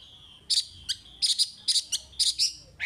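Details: Chinese hwamei 'gacor' song for training young caged hwamei: bright, high, clipped notes in short paired bursts, then a rising whistle at the end.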